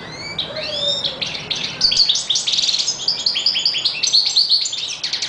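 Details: European goldfinch song opening with a few rising whistled notes, then a fast, jangling series of high twitters and buzzy trills that continues without pause.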